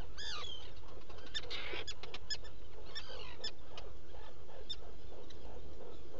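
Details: Black guillemot at a nesting burrow on Seal Island NWR, Maine, about 02:00 at night, 11 July 2018: a loud arched, harmonic call opens, then scattered clicks and softer calls from other birds.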